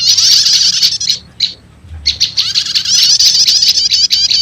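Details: Prinia lure mix of prenjak lumut with prenjak setater, meant to draw wild birds in fast: a rapid high rattling trill, a short pause with a few isolated chirps, then a sustained buzzy trill resuming.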